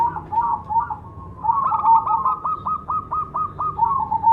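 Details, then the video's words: Cemani zebra dove cooing. Soft wavering coos give way to a rapid string of short, sharply rising notes repeated several times a second over low background murmur. "suara burung berkutut cemani gacor mangung"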